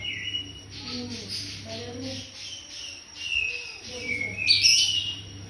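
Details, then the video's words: White-rumped shama in cungkok style for tutoring: a whistled note, then soft chattering and scratchy phrases, ending in a loud bright burst of high notes, low hum underneath. "Cungkok ‼️ Masteran murai Batu"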